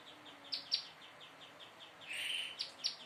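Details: Young prinia practising its song, with a row of soft, evenly spaced high notes, two sharper chirps, then a brief buzzy rasp and more chirps.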